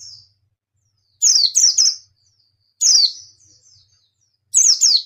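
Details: White-eye delivering bursts of two or three rapid, piercing descending chirps, separated by pauses of over a second, with soft high whistled fragments trailing after.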